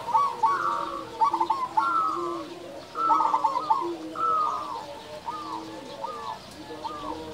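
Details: Local zebra dove with a big voice, singing steadily as a lure for quiet doves: mellow bubbling coos with a rolling stutter, in phrases about a second apart, the last few shortened to single rising notes.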